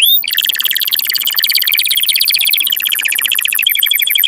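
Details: Canary song meant to stir males and excite females toward mating: after a brief rising note, a dense, very high, rapid buzzy trill rolls on without pause for several seconds.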